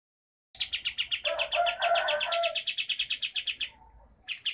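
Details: Sooty-headed bulbul from Sumatra, Pangkalan Jambu, Merangin, Jambi, singing a tight rolling 'ngerol rapat' song: a fast run of about two dozen evenly spaced high chips, overlapped midway by a lower warbled phrase.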